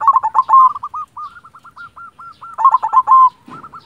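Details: Local silver zebra dove in energetic song, loud rapid stuttering coos, then a chain of crisp hooked notes, a second loud burst, and a brief flutter near the end.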